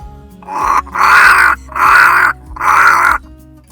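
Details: A Cape Crow at Mata-Mata rest camp, Kgalagadi, Kalahari, in August, in the morning near people, apparently begging for food scraps. It gives four harsh, hoarse caws, each about half a second long, in quick succession with brief pauses.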